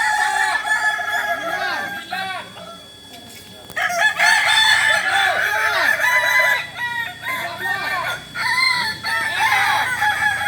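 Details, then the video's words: Chorus of Kokok Balenggek cocks training together in Ampang Kualo, Solok, West Sumatra; dense overlapping multi-note crows rise and fall, with a brief lull near the third second before loud crowing resumes. "Ayam kukuak balenggek"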